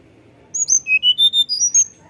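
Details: Lively tledekan gunung performing fluting song, offered as a lure to encourage other birds to sing: a tight sequence of about eight pure whistled notes, descending then rising, against near silence.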